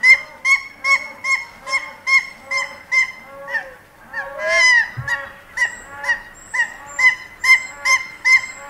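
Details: A single captive Hawaiian goose gives short nasal honks, roughly two a second, in a steady run, with one harsher, drawn-out note midway, and distant sounds from the rest of the collection.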